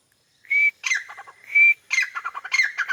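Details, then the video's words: A grey francolin calling from a wall in Pakistan gives a loud, clear, high whistled note followed by a fast, harsh run of clipped syllables, the phrase repeating about once a second. "White teetar voice | teetar making a sound"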